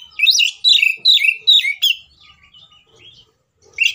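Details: Oriental magpie-robin giving an agitated fighting song meant to provoke other magpie-robins into singing: five loud, rapid, whistled phrases with sliding, twisting notes, then soft scratchy warbling and one more sharp phrase at the end.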